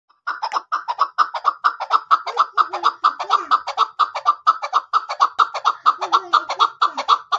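A chukar partridge gives a steady run of hoarse, clucking chuk notes, about two per second, building a rhythmic chattering series with no other sounds.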